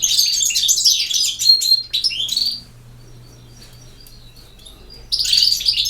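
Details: European goldfinch, a Bosnian (BiH) bird sung in the campero style, delivering a rapid burst of high, twittering, buzzy notes, a pause of near silence, then another bright tumbling phrase at the end.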